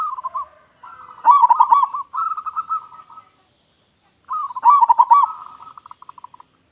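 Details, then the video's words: Local zebra dove, loud-voiced, singing to attract other doves: rolling, warbled coo phrases with a bubbling trilled middle, repeated twice and ending in a fading row of quick staccato notes. "Perkutut Lokal Gacor Suara Besar Suara Paling di Sukai Burung Perkutut apa Saja"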